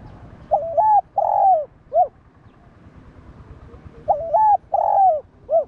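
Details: Spotted dove repeating its three-part coo, recorded to provoke and train other doves: a short stepped note, a long downslurred coo and a brief end note, two phrases about three and a half seconds apart.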